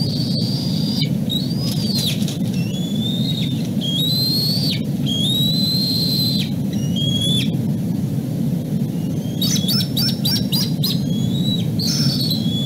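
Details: Bald eaglet crying out from below the nest after falling or jumping over the edge following a dropped fish, while its parent and nestmate watch from above; high thin whistled calls with rising and falling slurs, some sharp stacked notes, over steady low wind rumble.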